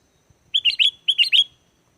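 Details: Sooty-headed bulbul singing briskly, a recording meant to lure wild bulbuls into replying; two matching phrases, each of three liquid, slurred whistled notes, the second phrase trailing into a thin fading tone.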